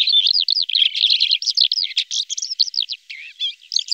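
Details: A Red-backed shrike in central Brabant, where the bird is increasingly encountered, gives a quick stream of varied twitters, slurred chirps and rising-falling notes, steady and unbroken.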